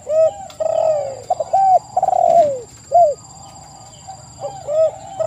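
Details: Lure recording of spotted doves, meant to get wild doves answering: crisp arched coos and a rattled downslurred phrase, about one and a half calls per second at first, then quieter, sparser notes toward the end.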